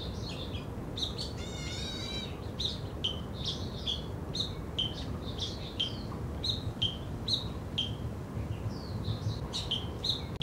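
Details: Black bulbul in Zhiben Forest Recreation Area, Taitung, Taiwan, 3 July 2013: high, short slurred chirps repeated steadily, with a brief buzzy rattling phrase near the start, over a low background hum.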